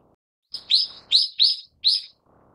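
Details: Shrill, piercing calls from a Brown-eared bulbul (Ixos amaurotis harterti): four strong, slightly downslurred notes in quick succession over under two seconds, against a quiet background.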